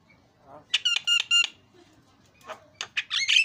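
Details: Javan myna in full song, spurred by a lure recording: two bursts of bright, harmonic whistled notes, the first a quick run of three ringing whistles, the second harsher and more squawky after a quiet pause.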